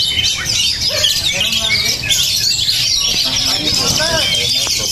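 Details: A spirited, tough-natured Oriental magpie-robin pours out rapid whistled trills and scratchy chatter, its high notes tumbling without pause over low murmuring voices and other bird calls.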